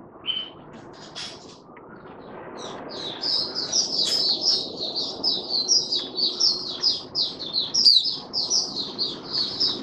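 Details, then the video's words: Caged oriental white-eye in open 'buka sing' song on 20 January 2022, the fifth day after its monthly deworming. After a quiet start, a fast, continuous run of high, thin twittering notes builds in loudness over background room hiss. "Mata Puteh Raja Video 1 buka sing"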